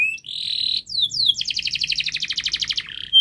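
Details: Fast, tightly packed canary song for training young canaries: a steady held whistle, several quick downward sweeps, then a rapid pulsing trill with a doubled tone, closing on a short bright note.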